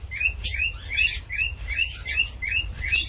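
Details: Repeated bright, rising cockatiel chirps at a lively pace of nearly three per second, mixed with a few scratchy high notes and a constant low background drone.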